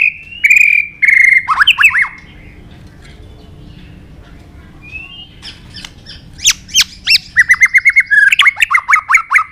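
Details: White-rumped shama in fighting song, the tạch đập style used to excite birds: harsh slurred notes, a long quiet gap with one soft whistle, then a rapid string of sharp clicking notes.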